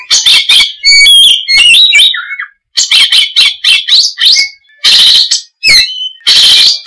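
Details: Oriental magpie-robin (kacer) in loud, rich chattering song: rapid whistled notes, trills and harsh buzzy bursts mostly high-pitched, delivered in quick phrases with brief pauses between them.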